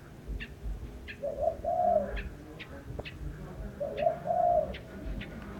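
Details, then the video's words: Soft low cooing from a bird: two phrases, each a short note and then a longer rolling coo, separated by a pause of about two and a half seconds, with light ticking sounds behind. "Chim hót hay"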